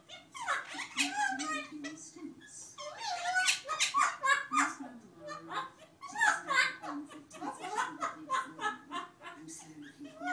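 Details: A pair of parrots, one unseen, laughing in quick staccato chuckles, roughly three pulses a second, in uneven runs of harsh, throaty bursts with brief gaps between rounds.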